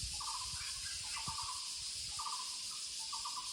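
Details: Muller's barbet in the woods repeating short, fast, throaty pulse-bursts about once a second, four bursts in all, set against a persistent high insect drone.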